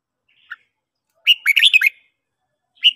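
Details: Red-whiskered bulbul morning song used for training: a single fast phrase of bubbly, up-and-down chirps, preceded and followed by a lone clipped note.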